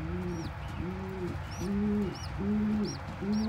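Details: Pigeon parent feeding crop milk to a tiny baby; loud low arched coos in steady series, about one each half second, with faint high squeals from the squab between them.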